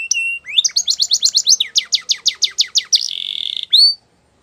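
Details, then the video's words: Singing canary delivering a run of rapid, evenly repeated sweeping notes, then a short buzzy trill and a final rising whistle, bright and high with a clean background. "Canary Singing Birds Sounds At Its Best"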